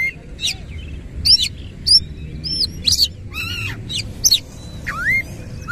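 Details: Tail-fanned Oriental magpie-robin in rolling 'ngerol' song: sharp high chips alternating with sweet arched whistles and a low swooping note that rises steeply near the end, phrases coming roughly every half second.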